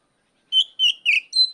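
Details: Ngeplong shouting of an Oriental magpie-robin calling out a rival: four loud, pure whistled notes in quick succession, each slightly falling, the last one higher and thinner, with no other sounds.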